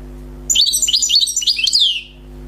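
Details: European goldfinch, wild and freshly caught, sings a rapid tumbling sequence of high tinkling twitters, ending in a long descending whistle, with steady electrical hum behind.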